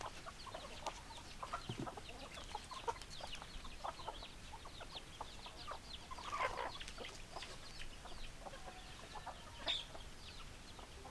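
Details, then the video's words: Hens cluck in a loose chorus of short, repeated clucks, with one brief, louder squawk near the middle and a single high whistled note toward the end, over soft background noise. "Chicken Sounds Noises Hens Clucking Roosters Crowing"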